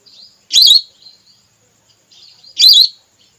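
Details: Whistling duck female call, played as a lure to bring down red or plain whistling ducks: two strong, high, wavering whistles about two seconds apart, each preceded by a soft thin whistle.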